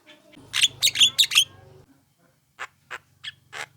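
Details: Young Javan myna calling to provoke replies from other mynas: a quick burst of five harsh chattering notes over a low hum, then four softer, spaced rasping notes.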